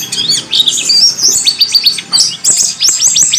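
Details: Warbling white-eye (pleci) song from a tutor recording made for training birds: rapid, high twittering and chirping phrases with quick rising and falling whistled notes, bursts broken by short pauses.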